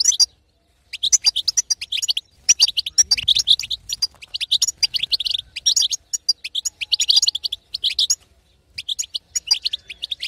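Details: Long run of female European goldfinch betbeta chatter, aimed at getting a silent male to sing; thick streams of quick, bright twittering broken by a few short pauses.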